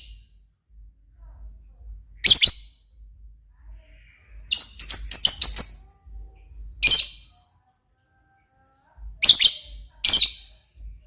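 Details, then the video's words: Lovebird calling in a lively, strong manner: loud, harsh, high chirps given singly and in a quick burst of about five, spaced by pauses of one to two seconds, with no other clear sounds. "burung Lovebird paling keren dan gacor"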